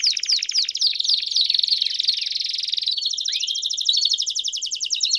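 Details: Campainha-style canary song with chirps, meant for teaching young canaries: dense buzzing trill running steadily, with rapid descending strokes early and a single rising whistled note midway, then a faster pulsed roll.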